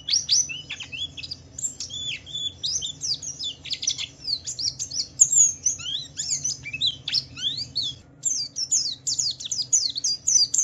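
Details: Javan white-eye, kept for its song, singing rapidly to provoke other white-eyes into answering: dense, continuous high twittering of quick sliding whistles and chirps, with a brief pause near eight seconds and a faint low hum beneath.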